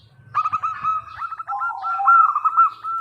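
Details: Zebra dove of local stock singing to draw responses from other doves: a quick rolling series of hooked coos followed by lower drawn notes.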